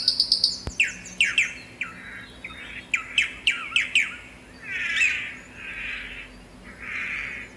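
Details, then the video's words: Tangará (swallow-tailed manakin) voice opening with a fast high trill, followed by a run of sharp falling chip notes and then three soft, swelling buzzy notes spaced about a second apart. "Canto do pássaro "tangará""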